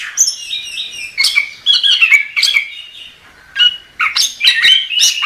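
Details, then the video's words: Chestnut-capped thrush delivering separated bursts of song: warbled whistles and squeaky chips in clusters, with a short quiet pause midway before a final lively flurry. "Suara Burung Anis Kembang | Gacor"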